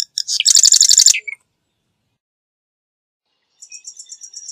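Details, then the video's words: Marsh wren, Cistothorus palustris, singing a loud rapid rattle introduced by sharp stuttering notes, then after a long silence a fainter, very high series of repeated pulsed notes. "Marsh Wren Song! Marsh Wren Call! Marsh Wren! - Cucarachero Pantanero Canto - Cistothorus Palustris"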